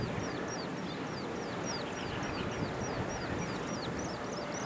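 An Oriental pratincole chick gives thin, high, downslurred peeps, about three a second, over a steady low rumble of engine-like noise.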